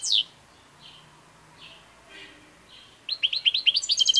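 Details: European goldfinch song: a few faint, thin high notes spaced apart, then a rapid burst of bright, tinkling twittered notes in quick succession, rising into a dense jingling run at the end.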